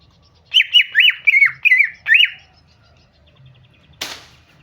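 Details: Calling female greater green leafbird, known locally as cucak ijo, luring a male to sing: five loud, quickly descending chirps in under two seconds, then silence broken by a single sharp click.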